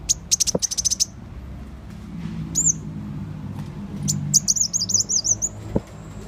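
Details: Sunbird call used as a lure: an opening run of rapid, hard high ticks, then a brief pause, followed by a long, quivering trill of high notes; soft low rumble in the background.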